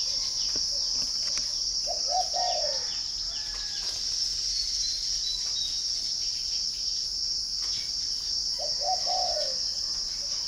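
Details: Spotted dove kept at a northern Vietnamese bird garden near Hanoi: two soft, low, descending coo phrases about six seconds apart. A constant shrill insect hum and faint chirps fill the background.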